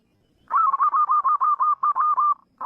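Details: Wild zebra dove cooing: after half a second of quiet, a rapid run of about eleven soft, evenly spaced rolling coo notes, followed by the start of another phrase.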